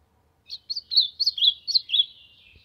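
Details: Ultramarine grosbeak warming up with song: about seven crisp whistled notes in quick succession, each slurring up then down, fading into a thin sustained tail.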